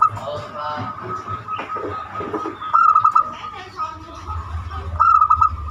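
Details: Zebra dove of the banyumili type, its song used as a lure to get other birds singing: two short bursts of rapid, clipped cooing notes stand out over talking voices and a steady whining background tone.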